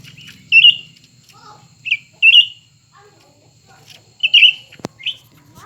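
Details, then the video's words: Grey-bellied Bulbul song from a contest between two birds, a new one and an old one. Brief, rich, slurred phrases come in loud bursts, mostly paired, separated by short pauses; one sharp click near the end. "pertarungan antara dua burung cucak ranting baru dan lama"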